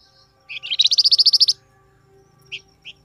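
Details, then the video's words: Flamboyan bird giving a calling sound meant to make wild birds answer: a brief high buzzy note, then a quick run of about ten sharp chattering pulses, followed by two faint chips. "SUARA BURUNG FLAMBOYAN, DIJAMIN LANGSUNG NYAUT BUNYI"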